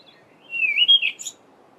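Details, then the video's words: Cape robin-chat singing in a garden on a mid-winter July morning during the dawn chorus: a single short phrase, a smooth whistled note sliding around and ending in a higher thin flourish, over quiet background. "Cape Robin-chat's two different songs"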